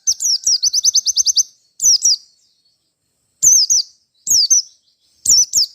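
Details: Merapi white-eye calling for a rival: a rapid string of about ten bright chirps opens, followed by paired high sweeping whistles repeated at intervals of roughly a second.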